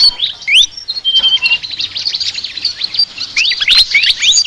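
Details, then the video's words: Flycatcher in a chattering song described as unusual: a couple of sharp rising whistles, a long flat whistle, a stretch of fast twittering, then more rising slurs near the end. "BURUNG SIKATAN NGOCEH TER UNIKK"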